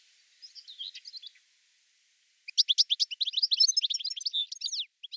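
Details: Goldfinch song beginning with a soft twittering phrase, then after a short silence a loud rapid stream of liquid chirps and trills.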